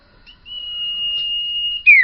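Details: One drawn-out, even, high whistle of well over a second from a bakalan Common iora (sirtu) in gacor owor-owor song, ending in an abrupt steep downslur.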